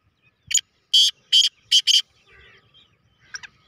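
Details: Kala teetar, the black francolin, giving a competition call: a soft lead-in note followed by four loud, harsh, rasping notes, the last two run closely together. Soft twittering and faint noise follow.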